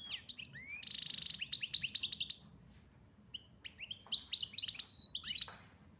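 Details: European goldfinch labelled chardonneret major from Algeria opens with a rising note and a dense buzzy rattle, then rapid sparkling twitters, a brief pause, and another burst of high chattering notes ending in a rasp.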